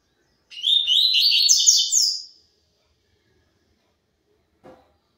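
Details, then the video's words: A double-collared seedeater sings one tui tui zel zel phrase, a dense burst of fast, high, evenly repeated chirps for about two seconds, then silence broken only by a faint tap. "COLEIRO TUI TUI ZEL ZEL PURO"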